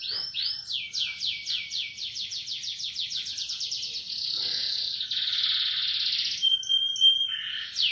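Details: Canary singing a powerful rolling song: a fast series of high sweeping notes repeated about three times a second, then merging into a long continuous buzzy trill with a steady whistled tone near the end.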